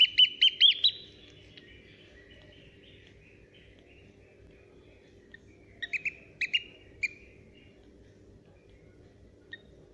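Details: A newly hatched Eurasian oystercatcher chick at a zoo gives thin, high peeps: a quick run of five, then scattered single notes, over a low steady background rumble.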